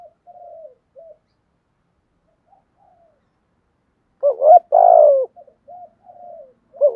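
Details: Spotted dove calling in thúc gù and gáy gọi styles with continual phrase changes; faint low murmurs first, then one loud hooted double coo with a drawn-out falling note near the end.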